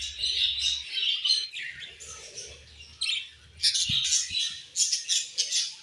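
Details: Pet budgerigars chirping during their morning feed: a dense flock chatter of warbled, scratchy chirps and squawks, many birds overlapping in rapid bursts, with a few soft knocks below.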